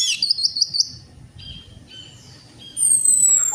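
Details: Orange-headed thrush, recorded as a lure for birds that will not sing. It gives a quick series of bright, high chirping notes, then quieter thin whistles, and ends with a sustained, very high, slightly falling whistle.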